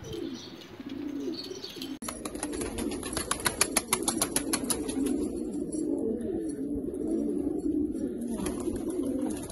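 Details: Low murmuring coos from rare Australian pigeons, then a quick run of loud, even clicks like wing claps or tapping about three per second, before the steady cooing carries on.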